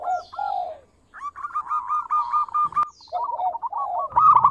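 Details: Local zebra dove in full, sweet song, played as a lure to stir other doves to sing: short bursts of rolling, hooked cooing notes, then a steady run of quick pulsed notes, with brief higher chirps and a soft thump.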